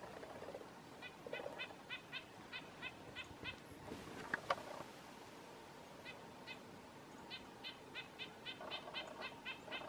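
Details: Red-breasted nuthatch (Sitta canadensis) male calling while chasing a female in a bush: quick runs of nasal, tinny 'yank' notes, about three per second, in two bursts separated by a brief sharp click.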